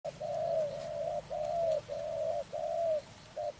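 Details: Spotted dove recorded during bird trapping, giving a run of mellow, low coos that run almost together, each slightly dipping, about five in under four seconds with short gaps.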